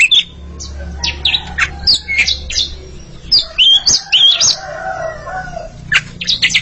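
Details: A pair of Oriental magpie-robins singing against each other: short whistled and scratchy notes in quick bursts, with a steady low hum underneath.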